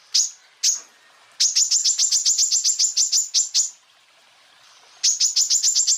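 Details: Greater green leafbird tutor song for training other birds: two isolated piercing high notes, then a long rapid volley of sharp chips, a pause, and another fast volley starting.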